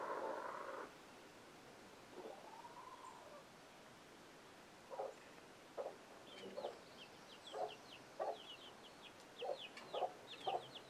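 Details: Chicken alert sound warning young chicks; a loud harsh burst opens, followed by a pause, then short gruff clucks repeated about every half second to one second, with thin descending chick peeps joining in the second half.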